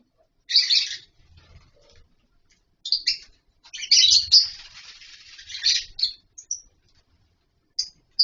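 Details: Lovebirds in a colony setup with nest boxes and mud bowls, giving harsh, shrill screeching bursts and high chattering, with short gaps between outbursts and faint low knocks.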